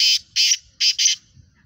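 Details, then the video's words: Pakistani black francolin, known locally as Kala Teetar, of the fast 'speeder' style. It gives four loud grating bursts in two rapid pairs, harsh and buzzy, with quiet rustling beneath. "Speeder kala Teetar One Minute Eleven Voices Pakistani Fastest Kala Teetar Chakri Wala Teetar"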